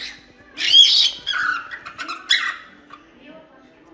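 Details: Cockatiel song: a loud burst of harsh, warbling chatter with short whistled notes around the middle of the clip, then quieter scattered chirps in an indoor setting.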